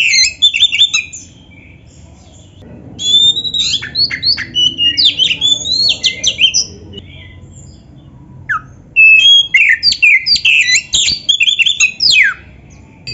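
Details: Black-breasted Oriental magpie-robin (kacer) in full, varied song, played to stir rival kacer into singing; bursts of high squeaky chirps, rapid trills and sharp whistles, with a quiet gap in the middle before another energetic burst.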